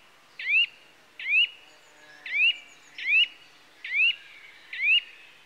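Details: Steady series of six loud, upslurred whistles from a Eurasian nuthatch (Sitta europaea), spaced roughly every 0.8 seconds, each note short, clear and sweeping up to a piercing finish against a calm, quiet background.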